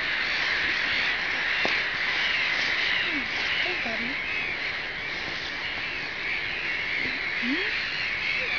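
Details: A large flock of about 4000 black-headed gulls in Riga: a continuous, dense chorus of harsh calls forms a steady din, with a few distinct lower calls standing out and voices talking nearby.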